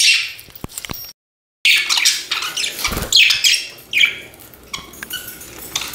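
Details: Pet budgerigar chirping indoors: rapid, raspy high chirps and short warbled squawks in uneven clusters, with a brief silent gap early on.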